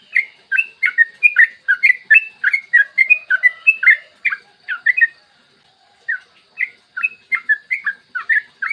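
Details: Clear morning song of a yellow-vented bulbul, a long ropel master used as a lure for other bulbuls: a dense, fast burst of bubbling whistled notes for five seconds, a brief silence, then spaced chirpy phrases resuming.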